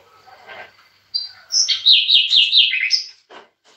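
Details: Goldfinch (European) song, recorded with bulbuls: after a soft rustle, a loud rush of high tinkling, slightly buzzy twitters runs for about two seconds, then a brief soft noise.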